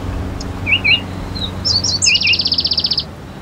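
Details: Palestine sunbird singing: a few rising chirps, then high thin notes leading into a fast, even trill of about a dozen repeated high notes lasting roughly a second, over a low steady background hum.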